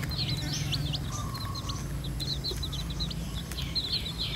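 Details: Red junglefowl hen with her chicks, foraging in the wild as she leads them to feed. Thin, high peeping notes repeat in quick runs throughout, with one brief lower whistled note near the start, over a steady low rumble.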